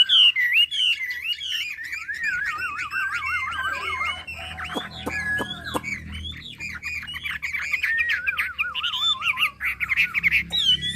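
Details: Hwamei from Hà Giang, Vietnam, in rich continuous song: looping whistled phrases, rapid warbled trills and sweeping notes. A few sharp clicks sound midway through.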